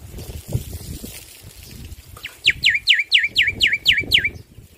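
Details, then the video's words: Male black-winged myna, singing loudly, gives a quick run of about eight bright, sharply bent whistled notes, evenly spaced around four per second, over a low rumbling background. "Masteran Jalak Putih Jantan Gacor Suara Keras"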